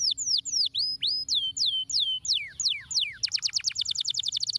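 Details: Canary song to stimulate lazy canaries into singing: looping downslurred whistles at a measured pace, leading into a rapid, tight, high-pitched trill.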